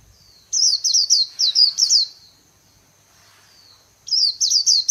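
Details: White-eye, Vietnam, líu song style from an artisan-kept bird: two clear bursts of fast, piercing high chirps, each several notes long, separated by a quiet gap in an otherwise clean recording.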